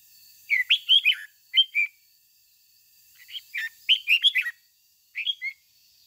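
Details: A red-whiskered bulbul decoy sings its 'ché' song for training other bulbuls. Bursts of three to six rich, chirpy whistled notes, some rising then dropping, come in irregular clusters separated by brief pauses.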